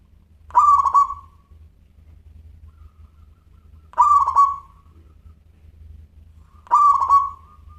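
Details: ['Local zebra dove, an active singer with a crystal voice, gives three cooing phrases about three seconds apart. Each is a short stutter of quick notes followed by a drawn-out steady coo. Quiet gaps between phrases carry only a low hum.']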